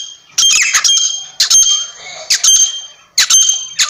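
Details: Partridge uttering three loud, harsh, scratchy bursts about a second apart.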